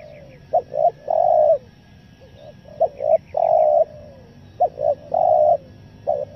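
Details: Coo call of a spotted dove, 'nekan nguku selang gagap' style, played to attract wild forest doves; three phrases, each a brief stuttered pair of low notes then one long steady coo, with pauses between.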